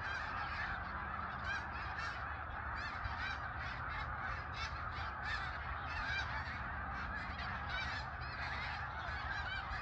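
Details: Huge migrating flock of snow geese, a steady wall of overlapping high nasal honks and barks from countless birds, rising and falling in intensity throughout.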